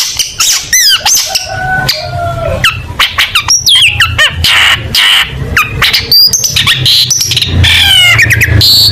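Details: Long-tailed shrike singing lustily as model song for contest birds: a varied string of piercing downslurred whistles, fast rattling trills, squeaky chips and a few long steady tones, delivered almost without pause over faint low background hum.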